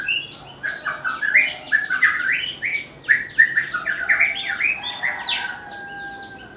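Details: Dense, fast White-rumped shama song with tumbling whistled notes. Rising and falling slurs are packed closely together over a quiet background. The species is known for varied, melodious singing.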